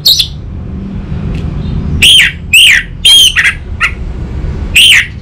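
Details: Lure and master recording of an orange-headed thrush for training a young bird: a series of harsh, downslurred notes, spaced about half a second apart, over faint low hum.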